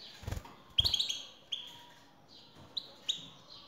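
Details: European goldfinch male answering a female's call. A burst of sparkling twitters is followed by spaced single chirps and short rising notes, with low thumps near the start.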